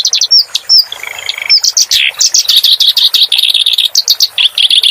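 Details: Clamorous reed warbler song for tutoring cage birds: squeaky slurred whistles and a brief buzzy note, then a long, loud sequence of harsh, rhythmic chattering syllables repeated rapidly.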